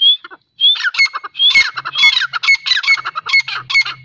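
A female grey francolin gives harsh, screechy notes in a fast, steady series, several each second, with a faint low hum underneath.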